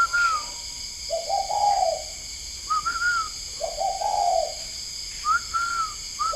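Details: Spotted doves kept at a Vietnamese breeding farm in Ba Vì, Hanoi, heard at 10 p.m.: two low, burry coo phrases alternating with short, higher, clear whistled notes. A steady electrical hum runs throughout.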